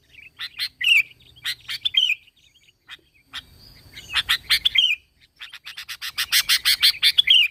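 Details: Energetic song of a sooty-headed bulbul (kutilang), a recording used to provoke other bulbuls to sing: repeated phrases of sharp chirps ending in slurred whistles, then a fast rhythmic run of clipped notes.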